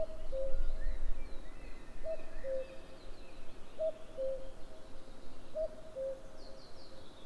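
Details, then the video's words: Common cuckoo calling on 11 May 2022: a clear two-note cu-coo with the second note lower, given four times about every 1.8 seconds over low rumbling background noise and faint high chirps from other birds. "Cuckoo calls"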